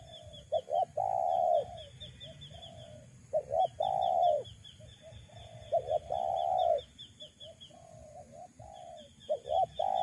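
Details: Spotted dove call used to lure wild doves: low, hollow cooing phrases in bursts of two to four notes, the last coo longest, repeated every few seconds, with a thin high chirping trilling faintly throughout.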